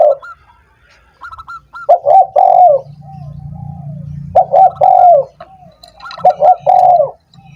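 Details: Spotted dove cooing, used to prompt doves that are slow to sing: repeated phrases of short coos running into a drawn-out falling note, fainter higher coos from another dove between them, low droning hum underneath.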